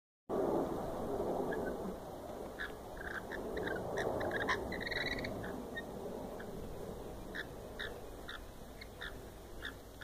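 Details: Lorikeets in a backyard, seen up close, chatter in short, harsh screeches, about two a second and unevenly spaced, over a steady low rumble of background noise.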